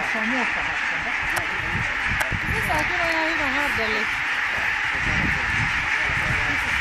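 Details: About 17000 Barnacle Geese taking flight at Konnunsuo, Joutseno, Finland, when attacked by a peregrine falcon in 2012. Scattered short, bending yelping calls rise and fall over a steady broad rushing roar.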